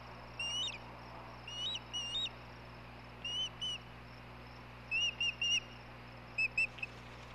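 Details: Osprey on the Hellgate nest camera, May 17, 2016, during the male's food delivery to the female. Short whistled chirps come in spaced groups of two or three, with quiet pauses of about a second between groups.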